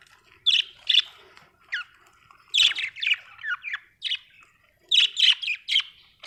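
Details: Budgie chirping in bursts of bright, sharp tweets and scratchy warbled notes, some short downward-sliding whistles, coming in clusters with brief quiet gaps between them.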